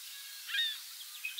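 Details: A Yellow Warbler at Montrose Point, filmed in May 2012 or earlier, sings a song fragment of a few thin, high, sweet whistled notes, one slurred, then a brighter final note, over a soft outdoor hiss.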